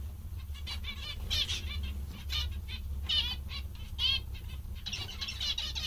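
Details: Contented zebra finches call in short nasal harmonic chirps, bunched in irregular clusters with brief pauses, over a steady low hum.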